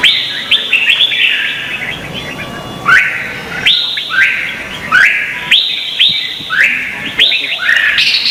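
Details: Red-whiskered bulbul contest singing in Vietnam, offered as lure song for training. Sweet whistled phrases with steep upslurs repeat in a steady run, about one phrase every second after a quieter opening.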